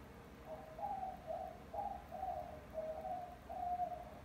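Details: Pet white-winged dove, a young rescued bird found in a backyard and now cooing all day, giving six low, hollow coo notes spaced about half a second apart over a faint background hiss.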